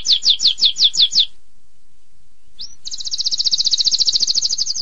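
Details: Long-duration canary song in the tembakan pedas style: a run of six distinct downslurred notes, a pause, then a brisk high continuous trill.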